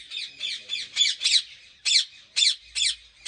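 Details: Ringneck parrots calling at a breeding farm in Pakistan: loud, harsh, screeching squawks in a steady series, several per second, with no other sounds.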